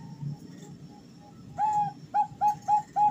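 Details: Bangkok zebra dove female calling the male, a lure for birds learning to sing: faint notes, then five louder clipped cooing notes with an upturned start, repeated about every quarter second.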